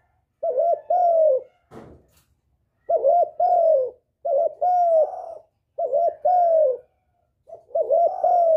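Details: Spotted dove lure calling aimed at a male. Four or five two-part phrases, each a quick hooked coo then a drawn-out falling coo, repeat every second or so. There is one brief rustle near the start.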